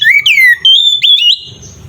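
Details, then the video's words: Oriental magpie-robin in full song, used as a lure to provoke other magpie-robins to fight: loud clear whistles, a falling slur, then a long level note with sharp upward flicks, fading into a quiet rumbling background. "Suara burung Kacer gacor paling efektif untuk pancingan kacer"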